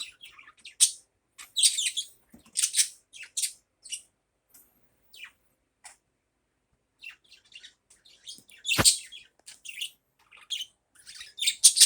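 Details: Budgerigar calling in the morning with short, high, squawky chirps and chattering phrases spread across the clip, one sharp click-like squeak standing out toward the end.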